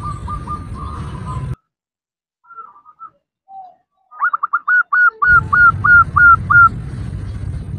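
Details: Female zebra dove calls to a male. A few quiet notes come after a pause, then a quick run of short, hooked, whistled notes. A broad rumbling noise starts partway through.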